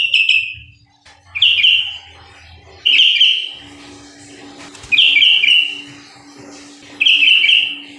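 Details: Persistent sooty-headed bulbul song made of short chirpy warbled phrases, each under a second, repeated about every one and a half to two seconds, five phrases, with a soft mechanical hum and faint clicks between.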